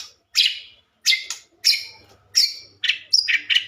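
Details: Harsh, buzzy high notes from a white-rumped shama, used to trigger other shamas to sing back; separate rasping bursts repeated about every half second, a few doubled, with a soft hum.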